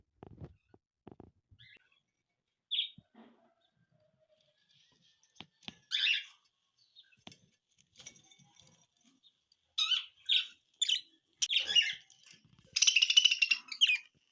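Budgerigar giving scattered bright chirps and scratchy chatter, building to a dense warbling burst.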